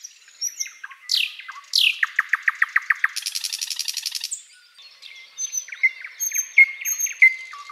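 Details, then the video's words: Spring sunrise song of a thrush nightingale in forest, opening with whistled upslurs, then a strong rhythmic run of chopped notes, a grating rattle, and softer varied chirps and whistles near the end. "Bird sounds Nightingale chirping and singing"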